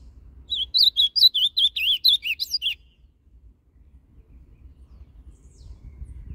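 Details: Ultramarine grosbeak (azulão Paraná) singing the northern song style, canto norte, played to warm up a caged bird: one fast phrase of about eleven wavy, warbled whistles over two seconds, then near silence.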